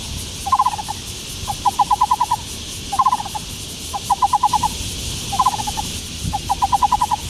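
Taiwan Barbet giving short bursts of hollow, rapid low notes, four to seven at a time, repeated about every second and a half over a steady insect hiss.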